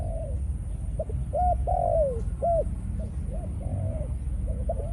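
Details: Decoy spotted dove, Malaysian line, in breeding mode: a run of hollow, arched coos about twice a second, one longer drawn-out croo falling at the end, over a constant low hum.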